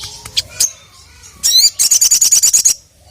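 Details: Sogon, or ruby-cheeked sunbird, in energetic song calling a male: a few isolated high ticks, a brief sweeping squeaky phrase, then a rapid string of a dozen sharp, evenly spaced high chirps.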